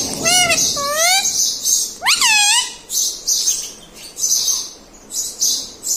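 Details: Pet parrot imitating household words like mummy: three quick upswept harmonic notes, then a longer rising-falling cry, followed by bursts of rasping, hissy squawks.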